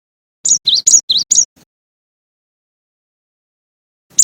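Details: Cinereous tit (gelatik batu) giving one short phrase: five high, clear whistled notes alternating between two pitches, then a long silence before a single note begins again.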